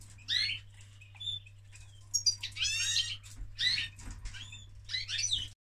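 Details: A male canary during mating gives bursts of high, rapid chattering trills and twitters, separated by short pauses, over a steady low electrical hum.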